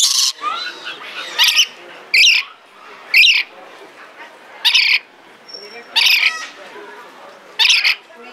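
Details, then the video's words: Harsh, loud screeches from a Red lory kept at Belgrade Zoo, Serbia, recorded 2022, come in short bursts about every second, eight in all, separated by softer chatter. "Papagaj crveni lori│Red Lory│Eos rubra"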